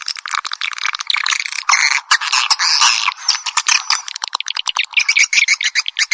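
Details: Piezo-version swiftlet calling sound: bursts of rough, buzzy chatter broken by quick clicking pulses, ending in a run of fast, evenly spaced chirps.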